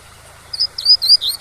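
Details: Double-collared seedeater's tui-tui song fragment for teaching young birds: four high, clear whistled notes in quick succession against a faint waterfall rush.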